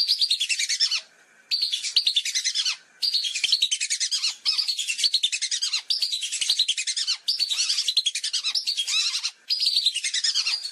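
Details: Lesser whistling ducks calling as a flock, as a hunting lure sound: dense, high, thin whistles chattering in bursts about every second and a half, with brief pauses between.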